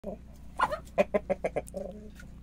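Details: Rooster, recorded on 6 March, giving a rapid run of low, hoarse clucks, about five evenly spaced in half a second, ending in a drawn-out nasal note; steady low hum beneath.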